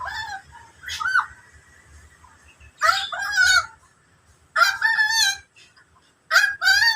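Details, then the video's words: Harsh, wavering, harmonic calls from an endemic bird with the local name koak kaok. Four loud bursts come roughly every one and a half to two seconds, each under a second long, separated by near silence. "kicau burung andemik koak kaok"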